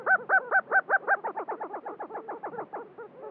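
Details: At a spring lek in New Mexico, a displaying male Lesser Prairie-Chicken group: a rapid run of about sixteen clucking, nasal notes, loud and even at first, then fading and slightly slowing toward the end.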